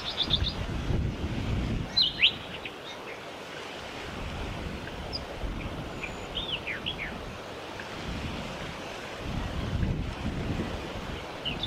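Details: White-plumed honeyeater (Aboriginal name Chickowee), recorded in Victoria, Australia, December 2021. Clear, quick, high calls with brief falling notes are repeated irregularly against a steady low roar of wind or surf.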